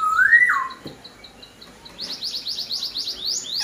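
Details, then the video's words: Chinese hwamei in full vigorous song: a long rising-then-falling whistle, then a quick series of bright upslurred whistles repeated several times a second. "POKSAI HONGKONG GACOR DOR"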